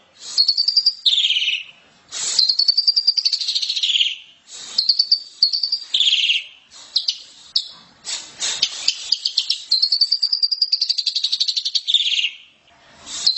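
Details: Asian pied starling singing in a loud, open chattering style for training: a long run of grating, pulsed trills and whistled slides, broken by short pauses.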